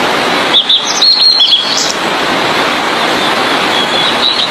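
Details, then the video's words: Blue-and-white flycatcher (tledekan biru) as a tutor recording for other birds: a brief burst of high chirps and whistled notes, then near quiet apart from a steady noisy hiss. "Burung Sikatan Biru-Putih||TLEDEKAN Biru Gacor|cocok buat masteran"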